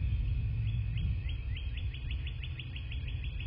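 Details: Bald eagle nest in southwest Florida, nest camera, morning of 27 February 2024. About a dozen high, squeaky rising notes tumble out in an uneven rapid chatter across three seconds, with strong low-frequency rumble underneath.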